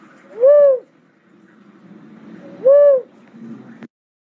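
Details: Cuckoo-dove calling twice, two deep, hollow arched coos roughly two seconds apart, with a faint murmur between and a sharp click at the end.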